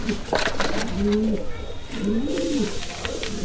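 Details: Kalsara pigeon giving deep, drawn-out coos in an enclosed room, two long bowing phrases with a soft rising and falling pitch, some clatter and faint speech behind.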